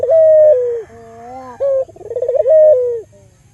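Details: Albino local Barbary dove cooing as a lure for other doves. A long level note that sags at the close, a muted low drawn-out tone, a short punchy note, then a wavering trill that ends in another held, falling coo.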